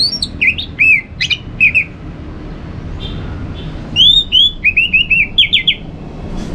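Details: Orange-headed thrush song, used to stimulate caged birds to sing, clear, varied whistled phrases of rising and falling notes, delivered in two bursts with short pauses between them.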